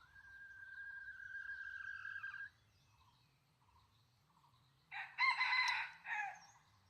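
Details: A long, steady, level whistled tone comes first, then a wild junglefowl rooster crows: a harsh, strained, multi-part call about a second long. It was lured with a decoy hen in a rural setting.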